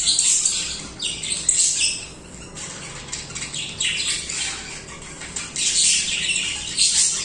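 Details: Continuous budgerigar singing: high, raspy warbled chirps in clustered bursts, dipping to quieter chatter midway before swelling again.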